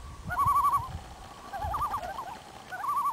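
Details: Common loons, five birds singing on a fall morning at Bob's Lake, Ontario: wavering, quavering tremolo phrases, three bouts separated by short pauses, over a faint low rumble.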